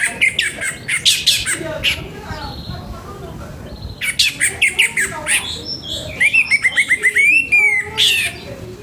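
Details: Morning song of an orange-headed thrush, loud and harsh, used to get other orange-headed thrushes singing quickly. Dense rapid chatter of scratchy high notes breaks off, then resumes with a fast stuttering series and wavering whistled phrases.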